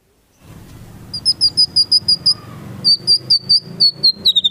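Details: Murai batu (white-rumped shama) song used as a training track: a run of sharp, high whistled notes repeated evenly, pausing briefly, then resuming in a second quick series, over a low background hum.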